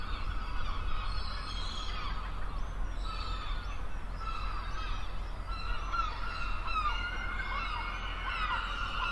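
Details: A crowd of gulls on a seashore: layered, drawn-out arched calls and higher squeals overlapping continuously, backed by a heavy low rumble of surf or wind.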